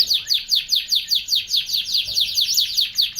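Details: Canary singing a fast, evenly spaced run of high downward chirped notes, roughly four per second, with a faint low thump in the background.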